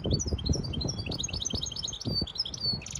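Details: Goldfinch hybrid in full song, singing so the young learn and the female is roused for mating: a continuous, quick run of high chirping notes and short trills, ending in a harsh buzzy note, over low rumble.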